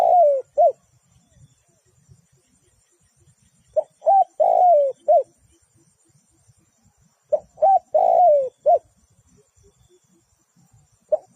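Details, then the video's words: Spotted dove serving as a trapping decoy repeats its cooing phrase: short notes lead into a long, sliding coo that ends in a clipped note. The phrases come about every three and a half seconds, with only faint background sound between them. "Bẫy cu gáy bằng mồi trồn"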